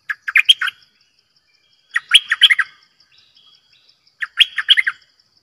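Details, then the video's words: Bulbul used as a decoy bird, giving three quick bursts of liquid, chattering notes, each a cluster of four or five syllables, with a faint continuous high pulsed buzz behind. "เสียงนกดอกแตงEp.112 Birds sounds #นกต่อเจ้าขันเงิน Suara burung merbah lekir"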